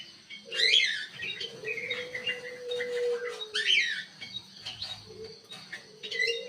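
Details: Ruby-throated bulbul singing actively in an aviary, bursts of sharp chirps and buzzy notes roughly every three seconds, over a steady low humming tone.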